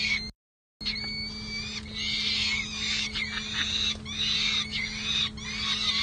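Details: Peregrine falcon chicks at a nest box on San Jose City Hall, California, in May, sleeping out on the ledge: harsh, raspy, high calls in repeated bursts, steady electrical hum beneath.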